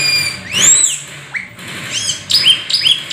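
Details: Rare, exotic Black-winged starling giving 'gacor full isian' song packed with imitations: clear arched whistles sweeping up and down, a short upward slur, then three quick repeated bright whistled phrases.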